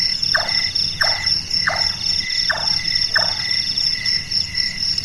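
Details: Large-tailed nightjar calling at night, its sound compared to carpentry work: five wooden, knocking notes spaced about 0.7 seconds apart, with a dense, high insect chorus running underneath.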